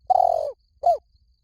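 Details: Spotted dove used as a lure call to bring doves in fast: one long, slightly falling burry coo followed by a short rounded coo.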